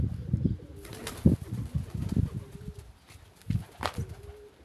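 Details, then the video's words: Homing pigeons on being let out: short level coos recur about every one and a half seconds, mixed with wing flaps and dull knocks. "فرحة الحمام عند خروجه"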